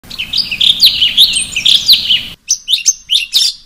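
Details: Sooty-headed bulbul singing in a ngeplong-style variation used as training song for other birds: rapid bright chirped and whistled notes, each rising or falling, repeating roughly every third of a second, with an abrupt cut and a clearer burst of notes after it.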